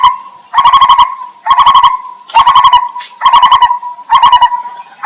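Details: Lineated barbet, wild, from the Terai, with a mother bird feeding her chicks. Five regular bursts of quick, throaty hoots, each about half a second long, roughly one per second, with a thin constant high-pitched whine behind.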